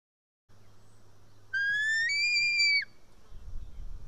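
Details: White-tailed eagle chick on a nest in Estonia, 4 July 2018 at 1:10 pm, screaming while an adult feeds it fish: one long, high, thin whistled scream that steps slightly upward halfway through, with faint background hum.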